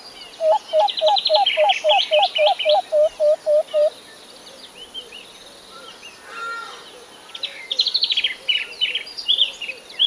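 Acacia Pied Barbet pair duetting: a steady run of about a dozen low hooting notes, three per second, overlaid and followed by bursts of higher, scratchy nasal notes.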